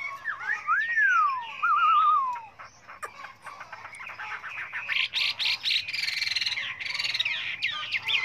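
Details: Chinese hwamei singing a varied, many-voiced song: long sweeping whistles falling and wavering, then a rapid run of buzzy, repeated notes rising and falling.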